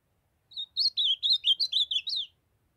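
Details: A juvenile ultramarine grosbeak, still brown, sings the Northeastern song form: a crisp phrase of about nine warbled whistles that waver up and down, finishing on a higher, rising note, in a quiet setting.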